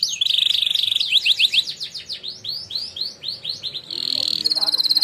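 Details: Contest-winning canary with its training song: a held, bright trill, then a chain of sweeping whistled notes at irregular speed, closing with a fast, sharp rattle, over a soft background hiss.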